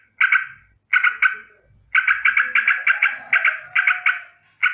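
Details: Morning danger alarm of a sooty-headed bulbul. A few isolated harsh notes lead into a fast run of repeated chattering calls, with soft low thumps and a faint tone in the background.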